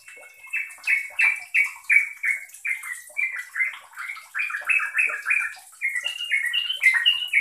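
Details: A sooty-headed bulbul gives a fast, steady chatter of short, bright, down-slurred notes, about three per second, with a faint hiss behind; the call is used to prompt quiet bulbuls to start singing.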